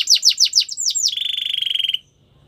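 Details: Canary song played for training canaries: five loud descending whistled sweeps, then a fast rapid trill of even notes held for about a second before stopping.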